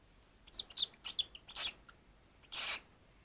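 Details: A small male "dwarf" cockatiel, a third lighter than normal and described as cranky this morning, refusing cuddles and scratches, gives a run of short, harsh, scratchy squawks, then one longer rasping hiss-like screech, all high-pitched; a person speaks softly nearby.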